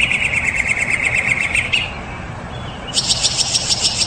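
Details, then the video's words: Mockingbird delivering a rapid buzzy trill that pauses, then shifts to a higher, faster rattling series of notes, with steady background hiss. "Best Mockingbird"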